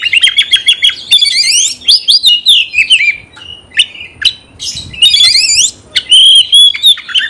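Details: Caged Oriental magpie-robin (kacer) song used to rouse birds to fight: rapid repeated sharp notes, buzzy rattling trills, sweeping whistles and loud shrill phrases in quick succession, with brief pauses.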